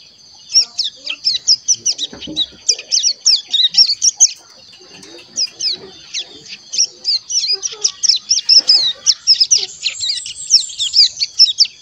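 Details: Young captive crescent-chested warbler, just over a month old, learning to sing: long bursts of rapid, high-pitched scratchy chirps, briefly pausing midway before resuming the chattering twitter.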